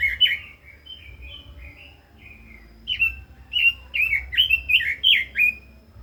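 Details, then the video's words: Red-billed leiothrix in energetic 'kích giọng' song, opening with a few softer drawn whistles, then a loud, fast sequence of about ten sweeping warbled notes, each bending up and down. "Chim Quế Lâm kích giọng hay, căng lửa"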